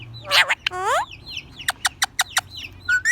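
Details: A talking ring-necked parakeet gives a speech-like phrase with sweeping harmonic tones, then a run of short, sharp chirps and a final whistled note, over a low background hum.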